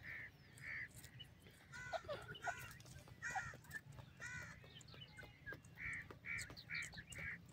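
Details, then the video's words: Partridge calls: short, harsh, harmonic notes, loosely grouped early on, then a run of four evenly spaced rasping notes near the end, over low background rumble. "A Day of Fun with Partridge Tweets"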